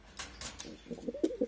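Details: Domestic pigeons kept as a pair on a rainy day, with the female sitting on eggs in a pot; both birds call at once, giving low, soft, throaty coos in quick pulsing bursts after a few sharp taps.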